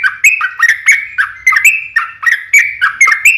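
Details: Yellow-vented Bulbul giving lively long 'ropel' song to draw answers: a rapid, evenly spaced sequence of bouncy, slurred, bubbly notes, about three per second, with crisp clicks throughout.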